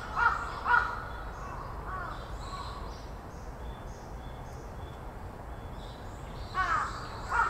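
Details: Large-billed crows, about 20 gathered on 27 April 2024, mob a northern goshawk with harsh, hoarse caws, several in quick pairs at the start and again near the end; faint thin bird notes sound behind.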